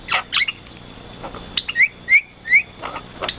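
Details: Bird in rice fields giving three clear, rising whistled notes spaced roughly a third of a second apart, surrounded by a few scratchy chirps and soft background noise.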